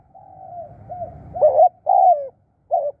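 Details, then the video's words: Decoy spotted dove: a faint drawn-out coo, then loud throaty notes, one short and one long and falling, followed by a brief clipped coo, against a quiet background. "ตามนกเรียกคู รู้ครุน"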